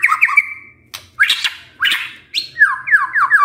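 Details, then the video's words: White-rumped shama used as a lure for a lazy male: whistled notes, then harsh squawking rasps, ending with repeated downward-slurred whistles. "PANCINGAN MURAI BATU GACOR"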